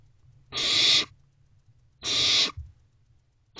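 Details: Barn owl owlets in a nest box on the evening of 21 May 2023 at 9:12 pm, one working on a rodent while siblings watch; two harsh, breathy hissing screeches about half a second long, spaced roughly one and a half seconds apart.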